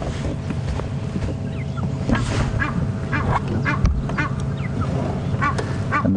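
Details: An Egyptian goose calls near a waterhole during a morning safari drive on 11 May 2015, giving a rapid run of harsh, nasal 'wah-wah-wah' honks about two per second, over a low rumble of wind or engine.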